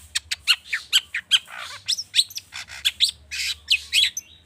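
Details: Excited long-tailed shrike delivering mimic-filled song used as a singing prompt for other birds: a fast run of sharp clicks, rasping buzzes and small whistled slurs, tightly spaced, high and bright throughout.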